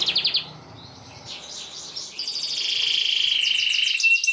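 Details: Tutor song of a canary for young canaries learning to sing: a brief rattling trill, a quiet pause with faint rising notes, then a long steady high buzzy trill ending on a sharp note.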